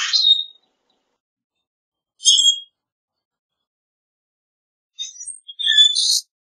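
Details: Common grackle song of short harsh squeaks: a grating buzzy note, a thin metallic squeak, then a rising creaky phrase, with long silences between.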